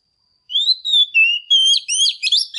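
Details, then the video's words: Stimulating song of a female Oriental magpie-robin aimed at males: a faint steady tone, then a phrase of clear slurred whistles that turns into rapid, high, scratchy twitters toward the end. "Chòe than mái kích trống HÓT CĂNG"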